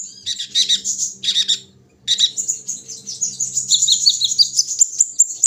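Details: Caged kolibri ninja (sunbird) during morning dewing, set out in the early hours: very high, thin twittering in rapid bursts, a pause near two seconds, then a continuous stream of sharp chirps and trills.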